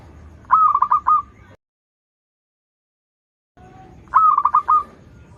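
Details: Zebra dove of local stock, a lure for young doves learning to sing, gives two bright cooing phrases, each an opening note then rapid rolling pulses, split by a silent break.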